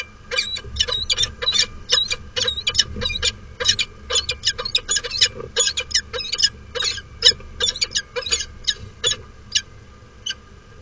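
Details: [7, 'Female falcon at a nest platform on Derby Cathedral, England, on 26 March 2013, during a courtship display before attacking a security camera. Sharp, rapid chipping notes repeat many times a second, with a steady electrical hum behind them.']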